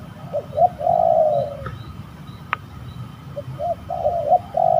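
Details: Spotted dove heard during a bird-trapping hunt at an eerie site, sounding while fighting: soft low coos, short clipped notes leading into a longer slurred phrase, then more notes after a pause; one sharp click midway.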